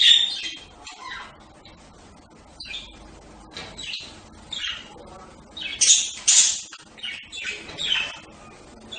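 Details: Budgerigar twittering in soft, scratchy chirps, rising to a cluster of louder harsh squeaks around the sixth second, then quieter chatter again.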